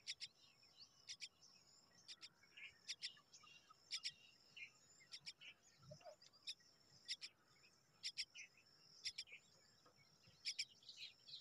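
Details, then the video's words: Hungry common myna chicks waiting for their mother, giving harsh, raspy paired bursts repeated roughly every second, with softer high chirps scattered between them. "Myna children are hungry, waiting for their mother"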